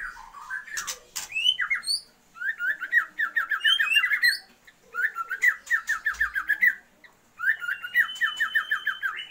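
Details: Female Oriental magpie-robin calling to arouse the male's breeding drive: three bursts of rapid repeated sharp chips, each separated by a short pause, with a few higher whistled notes.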